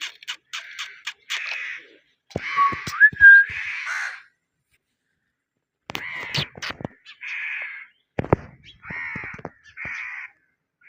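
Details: Pet Indian ringneck parakeet giving bursts of harsh, squawking calls mixed with clicks and a brief whistled note, separated by a pause of about two seconds.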